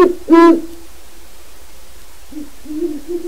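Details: A wild Great horned owl, described as male, hoots in a yard and at the open door of a pen of captive owls: deep, soft hoots, one strong hoot at the start, then two quieter hoots near the end.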